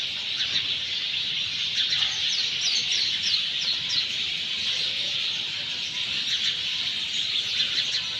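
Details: A dense flock of sparrows chirping in unbroken, high-pitched overlapping chatter over soft outdoor hiss, after monsoon rain in Sanghar, Sindh.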